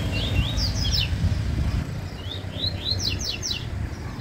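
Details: Yellow-bellied seedeater singing in a dispute: two bursts of quick, high chirped and slurred notes, rapidly repeated, over a steady low rumble like distant traffic.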